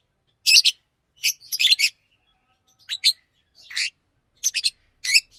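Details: Green Fisher lovebird, a pet, singing in bursts of scratchy high chirps, pairs and clusters of harsh notes separated by short silences.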